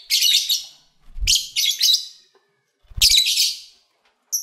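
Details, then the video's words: Lovebirds kept by owners, eating and playing; bursts of shrill, scratchy chirping chatter come in three clusters, each a fraction of a second to half a second long, with soft low thumps between them. "1 Hour Lovebird Sounds"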